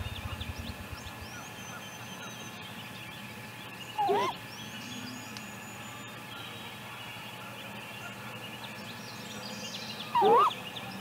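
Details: Female great grey owl near a nest camera at 7:55 am on May 6, just after leaving the nest, gives two brief wavering rising calls about six seconds apart over a steady background hum.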